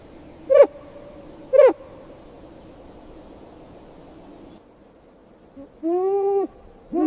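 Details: Snowy owl chirping: two brief, sharp harmonic chirps about a second apart, a long quiet gap, then a drawn-out, slightly rising, nasal harmonic call and the start of another.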